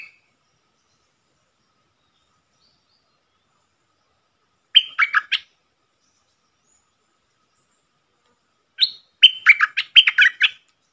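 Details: Red-whiskered bulbul, a wild bird answering a caged decoy bird, 5-6-64: two short bursts of quick, chirpy notes, four seconds apart, in otherwise quiet surroundings.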